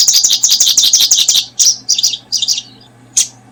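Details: Paddyfield pipit while brooding: rapid run of high, thin chirps packed closely for about a second and a half, then scattered short chirp clusters with pauses, over a steady low hum.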